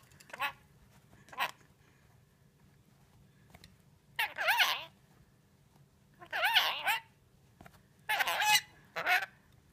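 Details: A scaly-breasted lorikeet that talks, swears and mimics sirens gives two short harsh squawks, then three longer raspy, warbling, voice-like phrases roughly every two seconds, over a low background hum.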